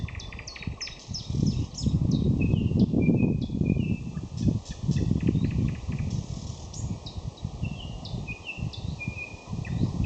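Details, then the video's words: Common nightingale in May delivering a dense run of sharp upswept whistles, clipped chirps and brief note series, partly masked by strong low wind-like rumble throughout. "Майское пение Соловья"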